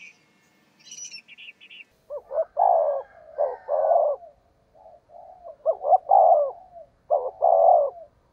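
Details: Spotted dove decoy cooing, 'thúc gù giọng thổ đồng' style: thin high chirps from another bird open, then three deep stuttered-and-rolled coo phrases at roughly two-second spacing with soft cooing between.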